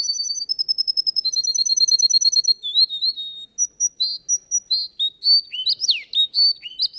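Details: Russian canary singing in a contest: a quick rolling trill of bright chips, then varied whistled notes and sweeping slurs in a lively, changing sequence.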